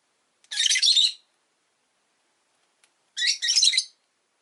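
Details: Two raspy, buzzy screeches, each under a second and separated by a two-second pause, from rosy-faced lovebirds, five kept in a cage near a window indoors.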